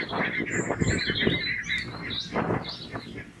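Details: Barnacle geese in a grazing flock, alert to two approaching red foxes, give rapid overlapping barking calls at a steady mid pitch, with thin higher notes and outdoor background noise.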